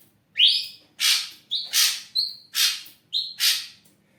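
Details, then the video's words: Kept ashy drongo in active song, used to draw out other birds: one rising whistle, then loud harsh raspy bursts alternating with short flat whistled notes, roughly two per second. "srigunting abu gacor siang malam"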